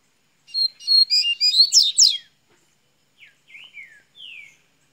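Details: Double-collared seedeater, Minas Gerais, Brazil, launching into song: a quick series of sharp high chirps and rising sweeps, followed by a few softer falling whistled slurs.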